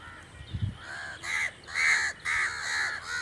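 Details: Crow giving loud, harsh, drawn-out caws, about four long rasping calls in quick succession after a brief low thump at the start.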